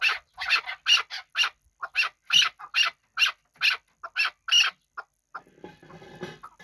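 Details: Chukar partridge kept for hunting, from Kabodiyon, calling a string of loud, clipped chuk notes about every third of a second, followed by a brief rustling noise.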